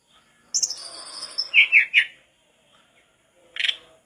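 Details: Persistent song of a mangrove blue flycatcher, recorded to tutor other flycatchers: a thin high sustained whistle, three loud rolling lower notes, silence, then one burst of buzzy chatter.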